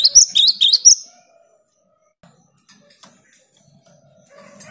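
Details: Cinereous tit in energetic song, used to coax silent tits into singing. A short one-second burst of four quick, high, bouncing two-note phrases is followed by quiet with faint low background sounds.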